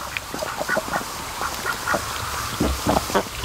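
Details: Flock of raised ducks resting at a lake where a creek enters, on a sunny afternoon; a handful of brief nasal quacks sound irregularly over a few seconds against faint background noise.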